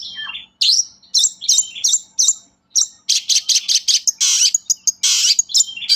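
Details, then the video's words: Long-tailed shrike in full, energetic song, used as a lure to get reluctant shrikes singing: high, fast chirps and scratchy notes, short rising whistles, then dense buzzy bursts near the end. "SUARA BURUNG PENTET GACOR, AMPUH UNTUK PANCINGAN PENTET KURANG GREGET"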